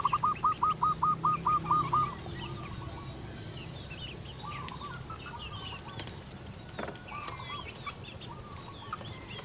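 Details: Local female zebra dove singing (manggung) to call its mate. It opens with a loud, fast series of about nine rolling, trilled coo notes over two seconds. Softer coos and distant chirping birds follow.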